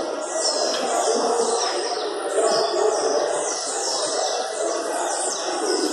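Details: Caged Blue-black grassquits (tiziu) at a singing tournament at a club in Jacarepaguá, Rio de Janeiro. They give high, buzzy song phrases repeated every second or so, over a steady murmur of people talking nearby.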